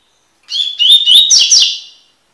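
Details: A tutoring recording of a Double-collared seedeater (Sporophila caerulescens) in tui-tui style: a high whistled opening, a run of rising slurred whistles, and a buzzing trilled ending, all clean and loud.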